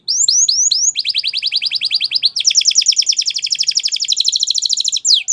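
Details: Gloster canary song: several sweeping whistles followed by a long, even rattling trill of rapid repeated notes.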